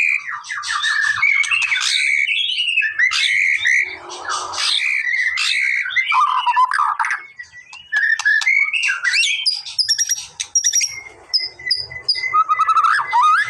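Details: White-rumped shama, played to provoke a response: a rich, varied run of loud whistles, chattering trills and harsh notes in rapid sequence, with a few brief pauses and sustained whistled phrases near the end.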